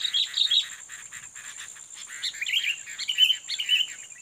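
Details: Sooty-headed bulbul, a fighting bird being lured toward a rival, gives quick chattering bursts of bright, warbling notes, clustered phrases rising and falling with short gaps, against a steady high background hiss.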